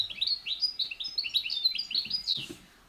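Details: European goldfinch in France gives a rapid, tinkling run of high twittering and liquid chirps, tumbling several notes per second, with a faint rustle near the end.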